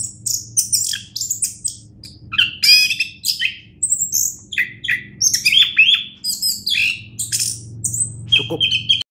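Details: Champion orange-headed thrush pouring out an energetic, varied song of rapid high twitters, rattling trills and clear whistled notes in closely spaced phrases, over a steady low electrical-like hum.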